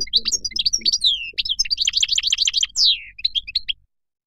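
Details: Moroccan goldfinch delivering a lively, jumbled twitter of bright chirps and quick slurred notes, one long descending nasal whistle near the end, then a few sharp final chirps before silence.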